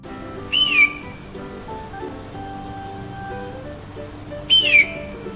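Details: Hawk calling in the wild, two high, thin, down-slurred screeches about four seconds apart over steady background music.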